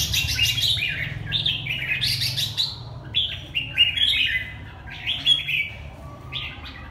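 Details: Red-whiskered bulbul from Hà Tĩnh, Vietnam, singing lively warbled phrases of bright, slurred whistles. Short bursts rise and fall and come about once a second over a steady low hum.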